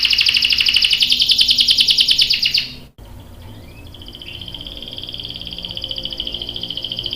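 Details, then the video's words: Canary song, a male in full voice, with a rapid buzzy trill of dense notes repeated for nearly three seconds, then a short break followed by a thin, sustained whistled note. "KENARI GACOR cuit cuit NGEROL bikin PAUD ikut NYAUT jadi BUNYI | CANARY SINGING"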